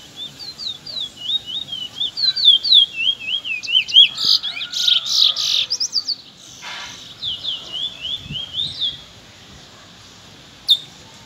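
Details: Young Trinidad bullfinches sing in the afternoon. They give quick repeated upslurred whistles, broken by a burst of harsh, squawky notes, then more whistled phrases. A final sharp click ends it.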